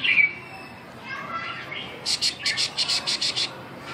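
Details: A red-whiskered bulbul, recorded 21 July 2012, sings a sharp opening note, soft slurred phrases, then a rapid run of about eight bright, bubbly notes, while a man quietly comments on the bird.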